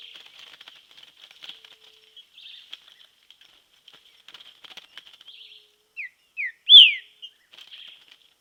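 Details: Outdoors in nature, a training green-winged saltator keeps up quiet scratchy twittering, then bursts into three loud falling whistles, the last the strongest, before soft chatter resumes.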